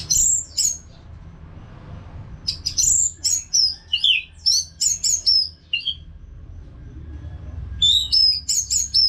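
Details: Orange-headed thrush, caged, singing tirelessly for bird therapy: crisp downslurred whistles and sharp clicks repeated in lively bursts, a short quiet spell, then another run of bright paired whistles.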